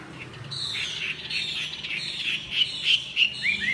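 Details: A Chinese hwamei (Garrulax canorus) in its third season and freshly moulted sings a rich, continuous run of bright, slurred, varied whistled phrases, ending in quick rising notes.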